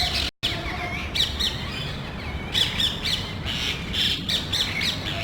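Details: A small group of parrots visiting a neighborhood in search of nest sites, checking electrical and TV cable boxes and loudly squabbling; harsh high squawks repeat irregularly over steady background noise.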